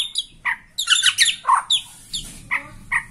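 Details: Bornean white-rumped shama singing excitedly at the sight of a rival: scattered whistled and harsh notes, some dropping in pitch, in short separated bursts.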